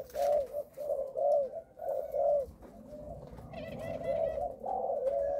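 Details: Malaysian-line spotted dove breeding male with a stammering coo: four loud hollow coos in the first half, then softer continuous cooing with broadband hiss and faint higher chirps behind.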